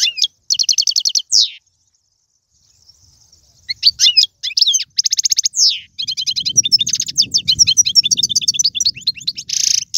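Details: Algerian goldfinch song in tiwawati, galoubi and serfati style: buzzy rattling trills and high slurred notes in separate phrases, ending in continuous rapid twittering over faint low noise.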